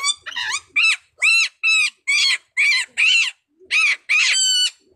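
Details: Blue-naped parrot and racket-tailed parrot calling in a duet: loud, harsh, nasal squawks, about ten arched calls in five seconds with brief gaps between them, and a faint voice near the start.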